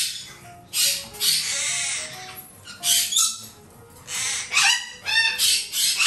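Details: Two young, breeder-raised black-headed caiques, one of them male, in a shop give harsh, raspy screeches in short bursts about once a second, with soft music playing faintly underneath.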